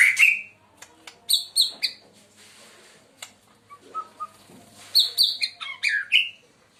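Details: Murai Medan, a White-rumped shama with a clear loud voice, producing sharp high chips and slurred whistles in two bursts separated by quieter soft notes.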